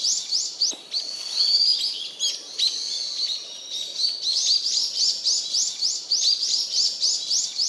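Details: Brown-eared bulbuls flying noisily about in mixed woodland of a Japanese park, recorded 26 December 2017; loud, shrill, high squealing calls repeated rapidly and overlapping, several birds calling at once.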